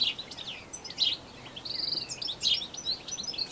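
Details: European goldfinch, introduced to New Zealand, singing its long, canary-like song: a fast, tinkling jumble of high twitters, liquid trills and buzzy notes, run together without pause over faint background noise.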